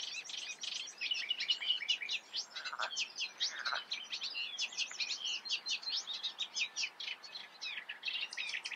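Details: Reed warbler song recorded in the Eifel: rapid, grating chatter of clipped notes repeated in pairs and triplets, flowing steadily without pause, with a couple of lower squeaky notes mixed in early on.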